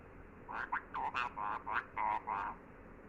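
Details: Pet parrot producing a string of about seven nasal, speech-like syllables at an even pace over a steady background hum.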